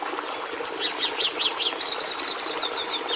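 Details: Red Siskin song, described as complex, varied in notes though not very musical, and close to the Hooded Siskin's: a rapid run of high, sharp chirps, slurred whistles and short trills, several notes per second, over a faint low background hum.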